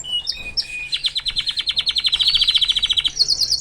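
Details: Canary song from a male kept with its family. A few separate whistled notes lead into a rapid, even trill of about ten notes per second, ending on higher sharp notes.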